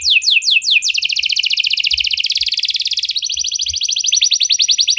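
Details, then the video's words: Canary 'cengkok mewah' song: a few sweeping whistled notes, then a long, fast rolling trill that steps up in pitch midway and keeps churning without pause. "Burung Kenari Mana Saja Pasti Ikut Gacor Setelah Dengar Kenari Cengkok Mewah Ini"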